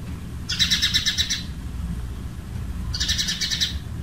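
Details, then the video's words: House sparrow in Jeddah, Saudi Arabia, where it is resident year-round, gives two harsh, rapid rattling chatters about a second long, two seconds apart, over a low rumble; likely an alarm at a nearby cat. "صوت عصفور دوري المنازل"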